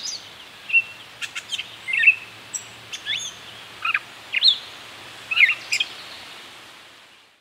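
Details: Gray catbird; quiet song; courtship and near the nest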